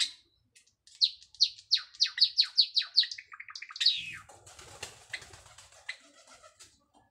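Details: Captive white Java sparrow during its first breeding, busy building a nest, giving a mating call: about ten quick, high, downslurred notes in a lively run over three seconds, then a lower trailing warble fading into soft rustling.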